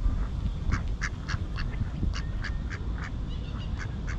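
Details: Wild mallards resting in a riverside park in central Halmstad, Sweden, give a rapid run of short, nasal quacks, roughly three per second, over a steady low rumble of city and water noise.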